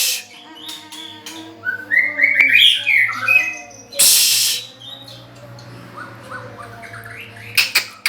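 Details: Loud song of a nine-month-old white-rumped shama: a burst of bright, rising whistled notes in the middle, fainter whistles later, broken by sharp clicking and hissing noises.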